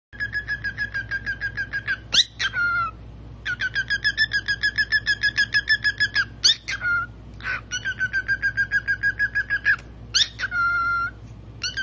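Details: Pet cockatiel playing peekaboo; rapid runs of short, bright squeaks, about three or four a second, broken by a few longer whistled notes and brief pauses, with a steady low hum behind.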